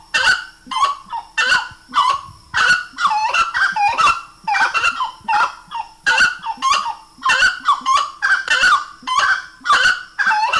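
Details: Slaty-breasted wood rail in a long run of loud, nasal, honking notes, delivered steadily about once a second in rhythmic groups, each note bending downward then up.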